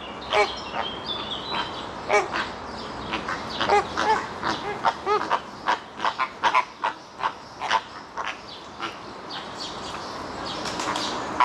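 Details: Flamingo flock at Lisbon Zoo, Portugal, around 3 pm at 30 °C, giving a steady chorus of nasal, goose-like honks and grunts, many overlapping each second, with faint crowd murmur behind.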